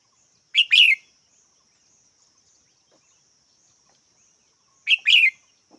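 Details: Two brisk double-noted chirps from a red-whiskered bulbul, spaced about four seconds apart, with a constant faint high-pitched drone in the background.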